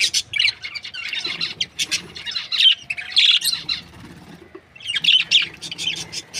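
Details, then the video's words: Budgerigars, Australian parrots in breeding pairs, keep up busy overlapping chirps and scratchy warbles, loud clusters broken by softer twittering and one short lull. "Amazing budgies chirping sounds | Australian parrot breeding pairs"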